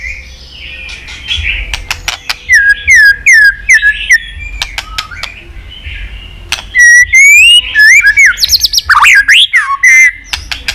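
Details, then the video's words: White-rumped shama singing a varied, fighting-provoking song: clear whistled notes and slurred sweeps mixed with sharp clicking ticks, in bursts separated by short pauses. "chòe lửa hót líu dụ bổi đấu kích lên lửa hiệu quả.kích chòe lửa hót đấu.kích lửa hót nhiều giọng"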